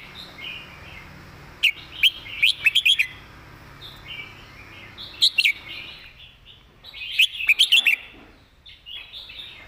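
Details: Red-whiskered bulbul giving its master song with good phrasing and clearly pronounced notes: loud, sharp whistled phrases near two to four kilohertz in bursts at about 1.6, 2.5 and 7.5 seconds, over softer warbling chatter from other birds.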